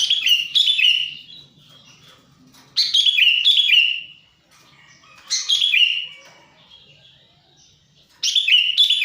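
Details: Sooty-headed bulbul lure call, used to attract wild birds while trapping and to prompt silent caged bulbuls to sing. Bright, chattering bursts of descending whistled notes, each about a second long, repeated roughly every two and a half seconds with quiet gaps.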